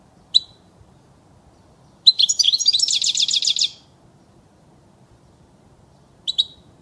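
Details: European goldfinch in an error-free recording for teaching young birds; an opening chirp, then a nearly two-second stretch of rapid, metallic twittering with rhythmic repeated notes, then a final chirp.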